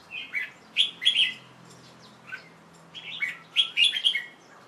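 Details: Young male pet Red-whiskered Bulbul in late afternoon, 1 January 2012, after bathing: lively chirpy whistled notes in two clusters, some rising and falling, over a faint low background hum.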